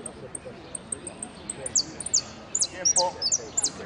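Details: A saffron finch in a singing contest at Piran on 25 September 2016 gives very high, thin notes, first evenly spaced single chips, then quicker downslurred sweeps and chirps, over a low murmur of voices.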